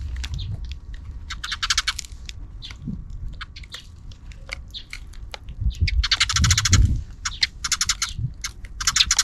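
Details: Sparrows noisy in the afternoon, heard off-camera: bursts of fast, harsh chattering chirps in several clusters, separated by single sharp clicks and tweets, with low thumps and background rumble.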